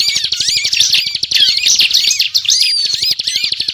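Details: Bar-winged prinia singing non-stop, a recording meant to lure birds for trapping: fast, crowded high-pitched chirping and twittering with sweeping notes, backed by a regular low ticking pulse.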